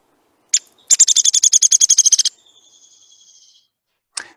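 A Downy Woodpecker gives one sharp, high pik, then a fast whinny of about fourteen squeaky notes that drops in pitch at the end, and another lone pik.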